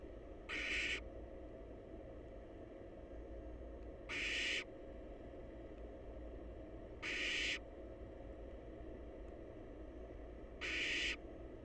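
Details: Nest-box barn owl young, wild and awaiting their next feeding, repeat harsh hissing snore-like calls: four similar half-second bursts spaced about three seconds apart, roughly seventeen per minute, over steady low background noise.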